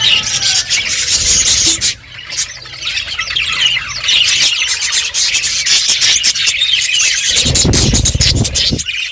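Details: A group of budgies eating and chirping: loud, continuous twittering and squawky chatter with clicking, a short lull, then a low rumbling thud.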